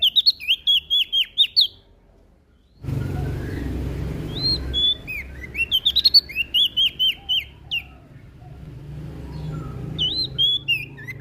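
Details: Prinia from Lombok singing vigorously: fast bursts of sharp whistled notes, each with a downward then upward slur, repeated in several phrases separated by brief gaps, over a low steady hum.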